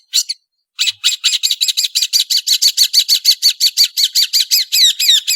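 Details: {'text': 'Cendet, the long-tailed shrike, in full song: one short note, a brief silence, then a long even series of quick harsh chattering notes, about three per second, ending in sweeping whistled notes.'}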